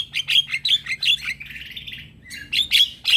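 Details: A male Javan myna gives its luring call to prompt other mynas and starlings to answer, a fast string of bright chirps and short whistles, a drawn-out buzzy note in the middle, then more sharp chirps.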